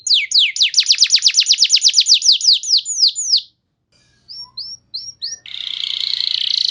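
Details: Canary singing as a lure for other canaries: a quick trill of high falling sweeps slowing toward the end, silence, then soft short upslurred whistles, ending in a dense buzzy rattling trill.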